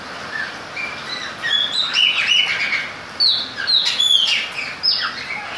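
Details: Chopi blackbird singing in the rain: clear whistled notes, some rising and some falling, delivered in loose phrases over a steady hiss of rainfall.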